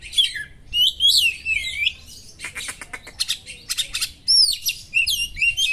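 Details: Oriental magpie-robin (kacer) song built from sharp small-bird mimicry to excite other kacer; looping whistled phrases, then a run of rapid dry clicking trills, then bright slurred whistles again.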